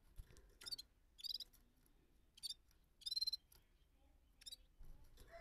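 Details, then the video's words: Gulsar bulbul in rolling song, giving separate burry, warbling bursts roughly every second, some with a clear whistled note inside, over a quiet background. "Gulsar Rolling singing balkashal مستی گلسر"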